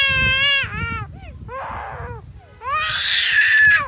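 Black-collared Starling giving loud, wavering, wailing calls, then a harsh grating burst, like a small child crying hard.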